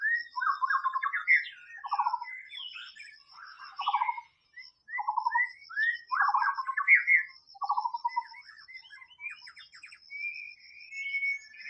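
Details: Wild white-rumped shama song with rich, varied whistled phrases. Low buzzy falling notes alternate with rising slurs and trills, plus a steady faint high thin tone in the background.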